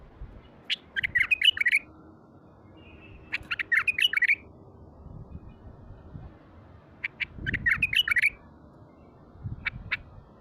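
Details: Wild-caught bulbul kept as a cage bird, said to have a heavy, deep voice, recorded in its natural state: short bursts of rich warbled notes around mid pitch, three phrases about three seconds apart, faint low background rumble.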